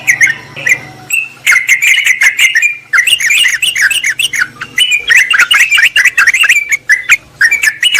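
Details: Lure recording of Yellow-vented bulbuls calling a rival: a rising whistled phrase opens, then busy overlapping chatter of liquid, slurred notes over a steady low hum.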